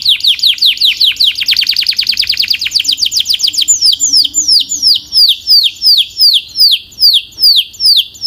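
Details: Belgian canary singing a powerful, clear song: a fast trill of rapid descending notes in the first half, then slower, evenly spaced downward-sweeping whistled notes, about two per second, high-pitched and loud, with a faint low hum beneath.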